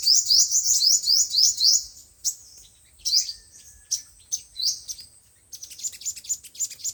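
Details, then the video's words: Five-colored and seven-colored sunbirds, recorded as speaker playback for trapping birds. A quick run of high, down-slurred chips opens, then sparser sharp notes and a faint lower drawn-out whistle, ending with a fast tinkling series. "Tiếng chim hút mật 5 màu và 7 màu dùng để bẩy loa"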